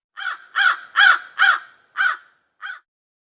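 A crow gives six harsh, hoarse caws about half a second apart, the last ones weaker and shorter, with nothing else heard.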